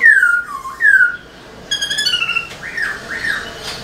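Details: Black-throated laughingthrush in tail-dancing song to stimulate caged birds: two loud falling whistled slurs, a pause, a nasal harmonic note and two soft arched whistles.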